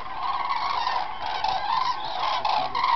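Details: Cranes at the Halastó fishponds in the Hortobágy puszta, Hungary, on 9 October 2008 call steadily in a chorus of loud, rolling trumpeting notes, many birds overlapping with no pause.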